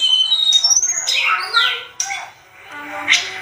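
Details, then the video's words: Sunda robin in vigorous song, a training recording for cage birds: a high clear whistle, then a loud descending slurred phrase and scratchy notes, followed by a quieter stretch with a single sharp high note. "Masteran terbaik tledekan gunung gacor emosi"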